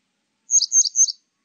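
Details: A grey wagtail gives three high, sharp disyllabic chirps in quick succession, each with a slight buzzy edge, in a clean 2020 recording from Korea's National Institute of Biological Resources.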